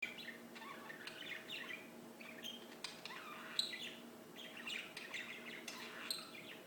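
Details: Singing birds: busy overlapping chirps and short twittering phrases in the high range, with a steady low electrical-sounding hum underneath throughout.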